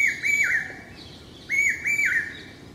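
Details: Common hawk-cuckoo (Hierococcyx varius) in Hyderabad, India, in May 2012 during the summer calling season. It gives shrill, piercing three-note 'brain-fever' phrases, repeated after a short pause, loud and manically repetitive.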